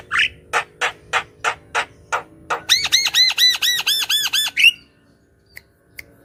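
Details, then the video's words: Gacor song of a Javan myna, played to lure birds and prompt quiet birds into song: a row of harsh grating bursts, then a rapid run of ringing arched nasal notes, ending in a rising squeal. "Suara Burung Jalak Kebo Gacor~Cocok Untuk Pemikat Burung Jalak Kebo Macet Bunyi"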